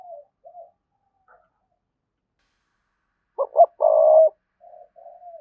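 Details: A spotted dove calls to lure rival males to fight: soft coos, a pause, then two short sharp notes and a long buzzy, rolling coo, trailing into gentle falling coos.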